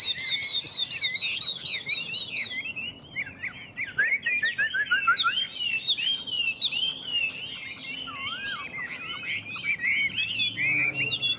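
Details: Chinese hwamei, one of two birds in a singing contest, Vietnam: a long, loud outpouring of looping whistles, fast trills and swooping notes, varied and almost unbroken for over ten seconds.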